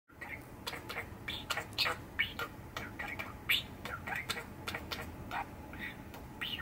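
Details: A six-year-old male pet budgerigar chatters on a cold December day, 18 December 2021, with a busy stream of quick, scratchy chirps and clicks and occasional higher warbled notes, running continuously.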